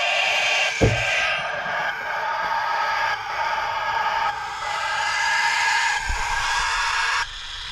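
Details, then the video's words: Cockatiel chicks aged 15 to 21 days, hand-reared in a terrarium under an infrared lamp, beg in a steady, harsh rasping chorus, a hoarse buzzy hiss running on without pause and shifting in tone every second or two; Cockatiel. "Oisillons calopsittes"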